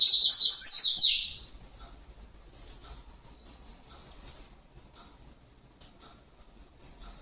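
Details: Rusty-collared seedeater singing: a loud, high, rapid warbled phrase of wavering notes lasting about a second, followed by faint scattered high chips over low background rumble.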